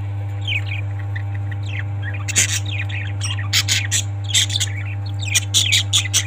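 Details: Parrots calling in sharp, scratchy bursts and thin chirps, growing more frequent toward the end, over a persistent low hum.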